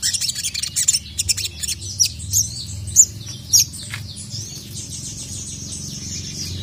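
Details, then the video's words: Sogon, a sunbird, calling a male in agitation: scattered sharp high chirps and short squeaks, spaced unevenly, fading into quiet hiss over the last seconds. "dengar masteran burung sogon memanggil jantan ini"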